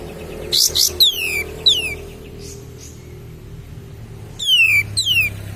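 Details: A lure for stimulating other birds: cream-vented bulbul sings sharp, high whistles that fall in pitch, in a burst of three, then a pause, then two more, with a faint low hum behind.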